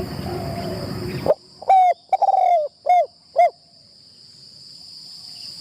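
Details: Spotted dove kept as a trapping decoy, first session in the enclosure. After a burst of rustling, it gives a stuttered coo, a drawn-out falling note and two short coos, over a thin constant whine.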